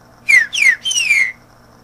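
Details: A green-winged saltator whistles a teaching song for chicks: three loud clear notes, each sliding downward, the third longest and gently falling, delivered within about a second over a faint steady hum.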